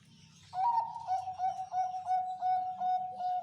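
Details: Zebra dove (perkutut) giving slow cooing, the 'anggungan pelan' style: a steady mid-pitched coo broken into rapid pulsed beats, running continuously for three seconds after a brief pause, over a low humming background.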